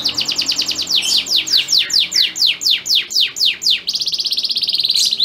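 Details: Breeding male canary sings a courtship song meant to make a receptive female crouch and mate: quick rising notes, then a series of steeply descending whistled sweeps about four per second, ending in a dense, buzzy high trill.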